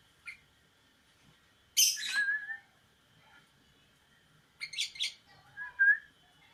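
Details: Sooty-headed bulbul song in two brief bursts about four seconds apart, each a quick chattering flourish ending in a liquid whistled phrase, with near silence between.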